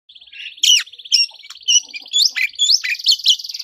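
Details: Oriental magpie-robin (kacer) in full fighting song, played to provoke rival kacer into aggression: loud sweeping whistles and sharp rising notes over a steady buzzy trill, bursts coming about twice a second.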